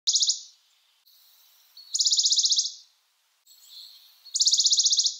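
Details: Western Bonelli's warbler giving three short, dry, even trills of rapid high notes, each under a second long, separated by pauses of about one to one and a half seconds, with faint hiss between phrases.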